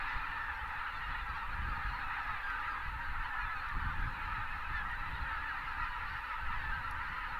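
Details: Winter flock of thousands of Greater white-fronted geese near Uvalde, South Texas, with pelicans lifting off among them; continuous massed honking, many voices blurred into one constant babble, with a low rushing rumble beneath.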